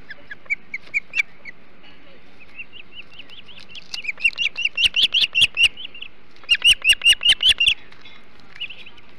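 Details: Ospreys at the Hog Island nest feeding on a huge flounder, morning of 21 July 2016; series of short high whistled chirps, soft at first, then loud rapid bursts repeated about two to three per second.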